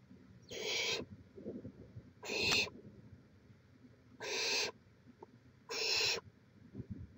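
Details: Barn owl nest in Chula Vista, California, 18 May 2017: four harsh, even hisses about half a second each, coming roughly every one and a half to two seconds over low rumbling noise.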